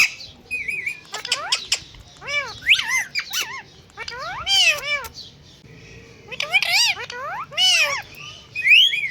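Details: Parrots on a bird stand chatter in clustered bursts of curved, harmonic squawks and wavering whistles, separated by brief lulls, with a rising whistle near the end.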